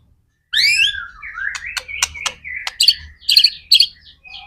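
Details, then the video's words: White-rumped shama singing persistently, recorded as a lure to spur other shamas into song: a slurred whistle falling from high to mid pitch, then sharp clicks and bright chipping notes in quick bursts, with a faint low rumble beneath. "MURAI BATU GACOR AMPUH BUAT PANCINGAN MURAI BATU AGAR CEPAT BUNYI JADIKAN BURUNG MURAI GACOR"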